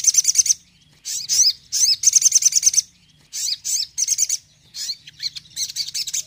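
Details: Crimson sunbird singing in loud, high-pitched bursts, a song played to rouse a caged sunbird that is not in the mood. Rapid twittering phrases repeat with brief pauses between them.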